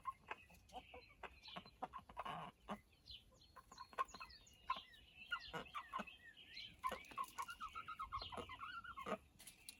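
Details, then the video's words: Backyard rooster making various alert noises and whistling for an unknown reason: quiet, scattered clucks and short tonal notes, building into a run of rapid, evenly spaced mid-pitched pulses, with faint background clicks and thumps. "The Weird Noises Roosters Make"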